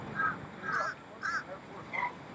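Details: A Fish Crow, probably an adult, in the eastern U.S. in early summer gives four short, nasal, hoarse calls about half a second apart, over a faint hiss of background noise.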